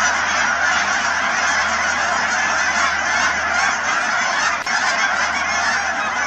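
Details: Thousands of wild Canada geese at the Cheam Wetlands near Chilliwack, British Columbia, create a dense, unbroken wall of overlapping honks and nasal calls. No single voice stands out from the steady roar.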